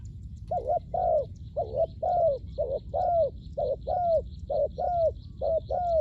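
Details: Spotted dove used for luring wild doves cooing in steady doubled notes, short then long and descending, about six pairs in six seconds, over a faint continuous high insect-like tone.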